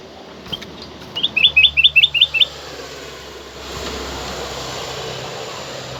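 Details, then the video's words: Black-crested bulbul, loud and clear, used as master song to encourage caged bulbuls to sing. A burst of about seven sharp, bouncy whistled notes runs over roughly one second, followed by a steady background hum. "dengar suara kutilang emas ini"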